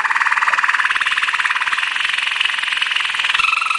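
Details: Belgian Waterslager canary, the water singer, in a training song: a dense, fast bubbling roll repeated several times per second, sustained throughout with a slight shift in tone near the end.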